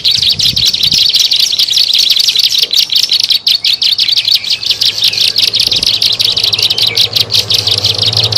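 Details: Lure sound of a plain prinia (ciblek sawah) used to attract birds: a rapid, high, rattling series of chirps, slightly fading midway, then continuing strongly, with a low hum in the background.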